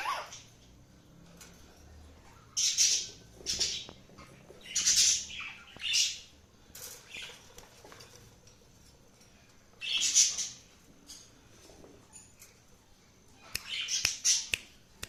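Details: Cockatiel chirping: scattered bursts of harsh, high chirps in irregular clusters, some closely repeated, with quiet gaps and faint rustling between.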